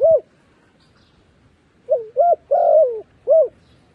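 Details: Decoy dove calling to lure wild doves down: one soft coo, a pause, then a run of short hollow coos and a longer wavering coo in quick succession, closing with another short coo.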